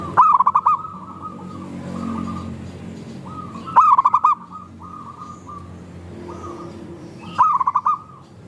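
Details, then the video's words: Local zebra doves singing in a group, used as a lure to prompt other doves to sing: three loud staccato cooing phrases about every 3.6 seconds, each a fast run of beaded notes, with softer drawn-out coos from other doves between. "Perkutut Lokal Gacor – Pancingan Ampuh Bikin Langsung Bunyi"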